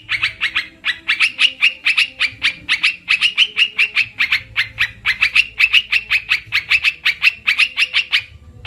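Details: Olive-winged bulbul, used as a trapping lure: a steady run of harsh, rapid chattering notes, about four per second and pitched fairly high, continuing unbroken for the whole stretch with only a faint low hum behind.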